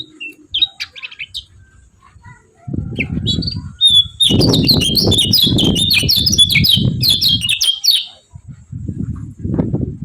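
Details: Yellow-vented bulbul giving scattered high chirps that build into a long, fast chattering run of sharp repeated notes lasting about four seconds, accompanied by heavy low rumbling and thumping noise.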